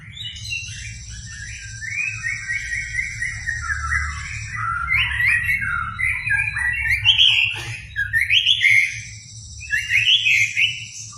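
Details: Actively singing white-rumped shama unloading its varied song to excite a reluctant shama; long sequence of warbled, jumbled phrases rising and falling, with brief pauses and a faint steady hum below.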